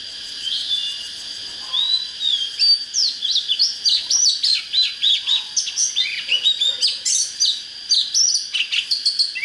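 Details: Oriental magpie-robin song used as a lure for wild bird fighting: a few opening whistles, then a long, fast sequence of varied chirps and slurred notes, about three a second, over a steady high whine.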